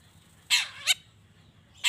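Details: Long-tailed shrike sound used to spur other shrikes to respond: a harsh rasping burst, a short descending slurred note, then another rasp starting near the end.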